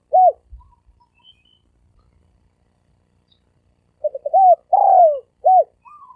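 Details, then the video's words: Fast cooing from a spotted dove in the 'thổ ồm vang' voice. One isolated coo is followed by silence, then a phrase of quick stutter notes, a long husky falling coo and a short arched closing note. "Tiếng chim cu gáy thổ ồm vang gáy gù siêu tốc siêu nhanh"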